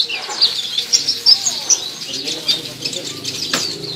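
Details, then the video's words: Purple-throated sunbird, known locally as kolibri ninja, from Indonesia, practising its lively gacor singing; a species said to sing well and imitate other birds. Rapid, high-pitched twittering with sharp chirps and thin squeaks, run together almost continuously. "Burung kolibri ninja latihan gacor"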